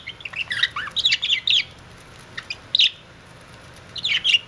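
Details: Budgie kissing: clusters of bright, squeaky chirps and warbled notes in short bursts separated by pauses, over a faint low hum.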